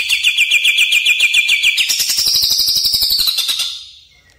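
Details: Greater green leafbird (Chloropsis sonnerati) song used as a master recording for training birds: a fast, even trill of bright notes, then a higher, buzzier rattling series of about three notes per second that fades out.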